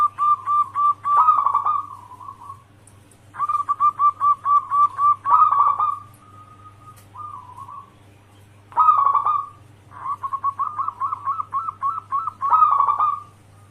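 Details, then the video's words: Zebra dove, a local bird kept at home, singing steadily as a lure for other doves: repeated phrases of soft cooing trills and rapid staccato notes, four phrases with brief pauses, low hum throughout. "Pancingan perkutut lokal gacor suara cocok untuk pancingan semua jenis burung kutut dirumah"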